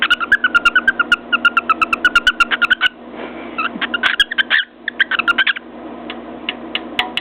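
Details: Pet cockatiel on top of its cage knocking its beak against a mirror while vocalizing: long strings of rapid, evenly spaced chirps, about two per second at first, then denser chattering bursts with loud clicks.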